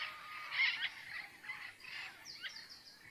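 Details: Andean parrots in a bird nature reserve at dawn, giving a run of harsh, scratchy squawks with bursts of sharp upper-pitched chatter near the end, over a steady background hiss.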